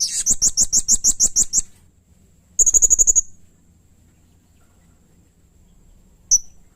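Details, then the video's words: Serindit, the blue-crowned hanging parrot, in lively song for bird-training use: a long series of about eleven harsh high pulsed notes, a quick shrill trill after a pause, and one final sharp chirp. "masteran suara burung srindit atau serindit gacor || Pancingan suara burung serindit"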